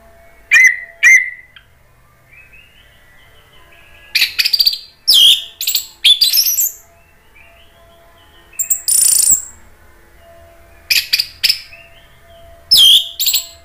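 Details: Caged Orange-headed thrush in Indonesia, song used to provoke rival thrushes to answer: scattered bursts of sharp, high, scratchy notes and brief whistles separated by short pauses, with a faint steady hum in the background.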